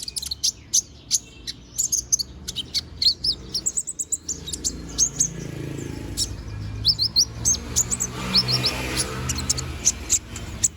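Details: Konin bird in moult, regrowing its feathers, singing busily: dense clusters of high, piercing chirps and brief whistled slurs continue throughout with few pauses, while a soft low rumble runs underneath.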